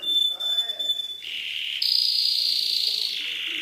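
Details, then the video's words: Canary song: a pure whistled note, then a lower rolling trill that jumps abruptly to a higher, louder steady tour. "Suara Burung Kenari"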